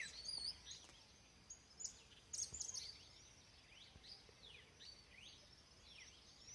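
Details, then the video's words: Red-cowled cardinal song heard at a distance: soft, slurred whistled notes rising and falling in quick sequence, with louder, higher chirps from another bird near the start and a steady hiss behind. "Galo de campina"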